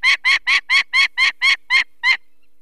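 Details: Female peregrine falcon at a Polish nest in the Barycz Valley, 2 May 2023, alarmed by people removing a chick: nine hoarse, clipped kek calls, the last after a short pause, then quiet.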